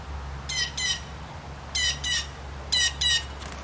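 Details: Blue jays calling from the trees as peanuts are put out, just before they swoop in to feed: harsh, harmonic squawks given in pairs, three pairs about one second apart, over a low steady hum.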